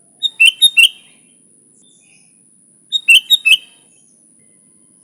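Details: Vigorous song of a sooty-headed bulbul, pure with no other birds mixed in, meant for luring bulbuls: two short bursts of four rich, bubbling whistled notes about two and a half seconds apart, with a constant thin high hum.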